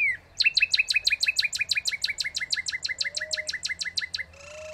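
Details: Northern cardinal pouring out a long, regular trill of roughly twenty-five quick downslurred chirps, steady in pitch and pace. A faint, low rising whistle from another bird enters near the end.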